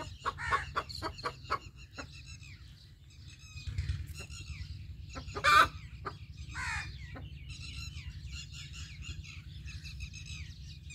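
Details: A rooster's alert call: bursts of quick clucks and two or three loud, harsh squawks, over a constant low hum with faint chatter of other birds.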